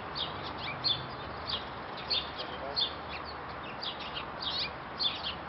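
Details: A downy woodpecker eating suet from a wire cage in a Pennsylvania garden gives short, sharp high chirps and squeaky notes at uneven intervals, roughly every half second, over a steady background hiss.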